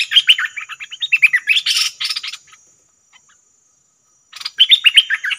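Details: A dok taeng bird (partridge or quail) answers a lure call with fast, chirpy, rising-and-falling notes, about four a second, in two bursts separated by a short silence; a different bird than expected came in.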